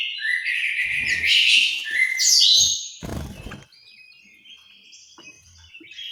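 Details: Orange-headed thrush in an aviary in Malang, East Java. Loud, tumbling whistled phrases fill the first two seconds, followed by a sharp clatter and then faint, scattered high notes.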